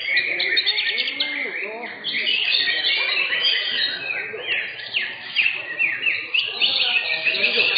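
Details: Third-placed green leafbird in a contest class at a singing competition arena: rapid, varied chirps and slurred whistles over a noisy background of other caged birds and people talking.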